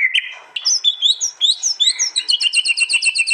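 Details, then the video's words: Murai batu, or white-rumped shama, from East Java, Indonesia, with an aggressive contest-style song, phone-recorded and compiled: varied whistled and upslurred notes give way to an evenly repeated, ringing high chip series. "Tembakan murai batu paling Ganas di gantangan bikin lawan ciut nyali"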